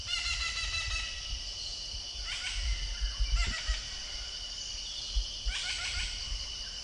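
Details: A Dollarbird (Oriental Dollarbird) in Corbett Park, India, gives harsh, rasping bursts in short chattering runs over a steady insect drone and low wind rumble.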